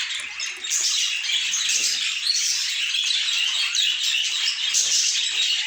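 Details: Pet budgies warble and squawk together in a room, a busy, overlapping stream of scratchy chirps and trills, loud and unbroken.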